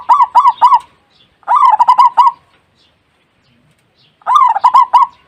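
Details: Zebra dove cooing while brooding chicks, on the second day after the young were found: three bursts of soft, rolling, bubbly coos, each a rapid string of four to six notes, separated by short silences.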